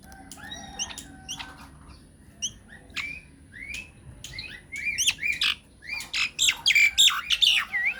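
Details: Lure recording of a myna singing so that other mynas reply. Scattered short upswept whistles and chirps build into a loud, dense burst of sharp rising notes and harsh chatter toward the end.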